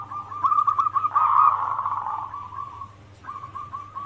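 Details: Zebra dove of a local strain cooing as a lure call for other doves: a rolling, burry warble that swells and fades, followed by a few short clipped coos over a constant low electrical hum.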